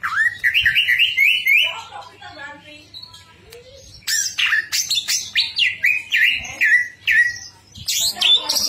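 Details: Greater green leafbird in energetic song: a rising, wavering whistle opens, then quieter chatter, followed by a dense run of sharp, swooping whistled phrases repeated in quick succession; steady low hum in the background.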